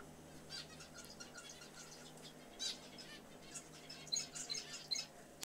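A zebra finch sings in short, nasal, buzzy bursts with a few sharp ticking notes.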